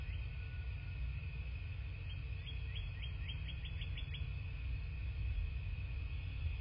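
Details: Bald eagles at a nest in southwest Florida, filmed by a nest camera on the morning of 27 February 2024. About two seconds of high, thin piping notes repeat quickly, over a steady faint tone and heavy low rumble.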